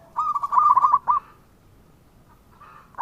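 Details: Local zebra dove in full song, used as a lure for other doves: one quick, bubbling phrase of soft rolled coos lasting about a second, then near silence and the start of another phrase.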